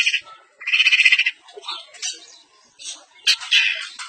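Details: Semi blangkon long-tailed shrike in East Javanese style delivering isian filler song. Harsh buzzy rasping bursts and a rapid grating trill alternate with thinner squeaky notes and brief gaps.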